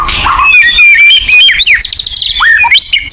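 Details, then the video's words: White-rumped shama song used as a lure to prompt captive birds to sing: rich rapid whistles with upward and downward slurs, quick chattering notes, loud and continuous. "pancingan burung murai batu agar bunyi"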